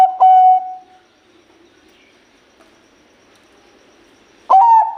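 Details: Zebra dove of the Bangkok type singing: the end of a clear cooing phrase, then a long quiet stretch, and the loud stuttering start of the next phrase just before the end.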